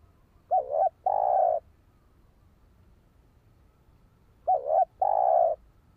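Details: Spotted dove call used to stir up and train a decoy bird: a short two-note lilting coo followed by a longer steady low croon, the phrase given twice about four seconds apart over quiet background.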